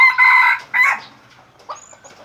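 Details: From Aceh, a red junglefowl near an F1 hybrid lure delivers a short crow of two loud harmonic bursts, then soft chirpy notes in the background.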